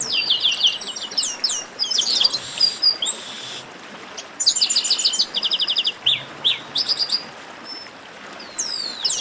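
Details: Baderna of chestnut-capped blackbirds: lively bursts of high whistles and buzzy rasps separated by short pauses, a rattling string of sharp chips near the middle, and swooping slurred notes at the close.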